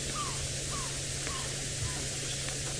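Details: An African barred owlet, seen perched during a sunset game drive in Djuma Game Reserve, Sabi Sand, South Africa, on 25 November 2017, gives four short, falling whistled notes every half second over a vehicle-engine hum and hiss.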